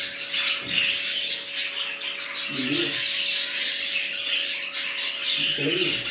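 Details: A new budgerigar colony keeps up busy high chirps and squeaky warbles, while low muffled sounds appear briefly twice and a faint hum runs throughout.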